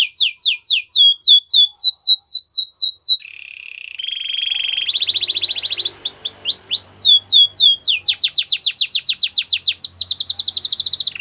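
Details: Belgian canary in a training song, quick descending whistles repeated over three seconds, a low rolling buzz, then rising sweeps and a long fast high trill.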